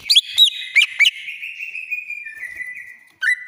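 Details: Agitated greater green leafbird from Banyuwangi, used to prompt a silent bird to sing: several sharp looping high notes, then a long shrill wavering trill sliding slowly downward, ending in a brief loud burst.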